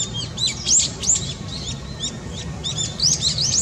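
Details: Long-tailed tit recorded on 17 April 2020, giving rapid high, thin, slurred calls and short tinkling notes, several birds overlapping almost continuously over a low background rumble.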